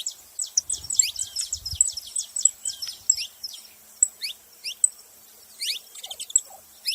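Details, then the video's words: ['Several saffron finches heard a bit more distantly: quick series of thin, high descending chirps, denser at first and more spaced later, over faint background noise.'] "Canário da terra junto fazendo barulho"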